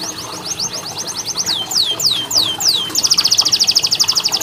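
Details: Canary singing a song meant to spur lazy canaries: rapid high chips, several slow falling whistles, then a fast, even, ringing trill sustained to the end over soft hiss.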